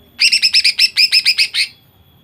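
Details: Female greater green leafbird singing to spur males into song: a quick run of about twelve short, evenly spaced buzzy chirps over under two seconds.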